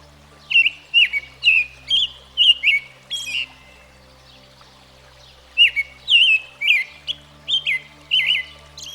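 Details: American Robin, a common backyard bird in the U.S., singing bursts of clear, warbled phrases that slide between mid and high pitch, with thin, very high notes between them. A run of about six phrases is followed by a pause, then another run. A faint steady hum lies beneath.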